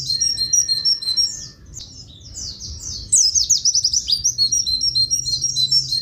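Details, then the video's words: Master song of a Javan grey-throated white-eye featuring long "tulit tulit" horn-like phrases for training. Continuous rapid high chirping and whistled notes, briefly softer, then a louder burst of quick sweeping twitters, with a low background hum. "Masteran pleci buxtoni materi klakson tulit tulit panjang"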